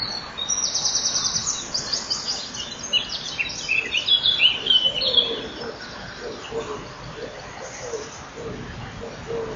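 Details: Common kingfisher pair at the nest at 07:57 on 12 May 2013, the male coming to feed while the female goes out. Rapid high buzzy whistles form a burst early on, then fade to soft low ticking.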